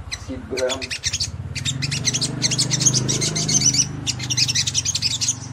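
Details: Lively ngleper singing from a Crimson Sunbird, played to provoke rival sunbirds: fast, loud, very high staccato chatter in long runs, over a steady low droning hum.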